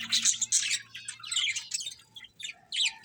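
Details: Cute pet budgies chirp continuously, a dense run of high, scratchy warbles and quick squeaky notes overlapping one another, with a faint low hum in the background.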